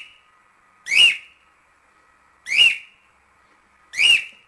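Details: Cockatiel recorded for training chicks to sing: three loud, raspy whistled notes, each with a quick upward flick, about one and a half seconds apart over a faint steady hum.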